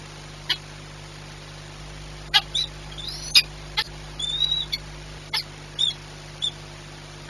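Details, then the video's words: Peregrine falcon recorded at Orlen Płock, Poland, on 22 March 2021 at 14:39: short, sharp high chips in irregular bursts, some slurred or doubled, over a steady low electrical hum. "sokół wędrowny"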